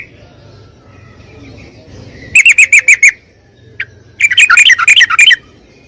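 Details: Yellow-vented bulbul (trucukan) lure recording meant to prompt a silent bird to sing: two bursts of rapid, sharp, repeated chip notes, about six to eight each, separated by a short quiet gap with a faint background hum.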